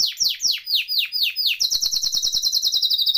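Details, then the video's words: Canary in full 'ngeroll' rolling song, played to prompt canaries that are stuck and not singing: slurred, falling notes around six per second, then a crisp, very fast high trill. "Kenari Gacor Ngeroll Isian Masteran atau Pancingan Kenari Riwikan atau Kenari yang Macet Bunyi"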